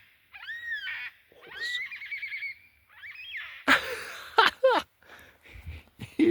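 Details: A baby black cockatoo, near its nest and with its mother, gives wheezy, nasal calls that rise and fall in three short bursts, then harsher rasping cries and sharp knocks.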